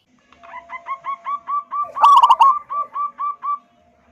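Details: Zebra dove of local wild stock, a big-voiced 'kung' style singer kept to draw other doves into song. Rapid hooked cooing notes roll steadily, broken midway by a loud rattling burst, then resume.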